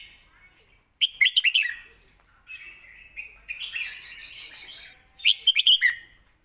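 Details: Score-calling song of a caged red-whiskered bulbul, used for training young birds: a loud run of rapid, bubbling whistles, a longer middle section of warbled, buzzy notes, then another quick bubbling phrase.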